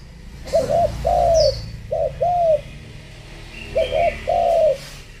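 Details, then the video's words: Female spotted dove calling to stir up males: three paired phrases, each a short double note then a smooth arched hollow coo, with scattered faint high chirps from other birds and a low hum. "chim cu mái gáy thúc gù kích trống"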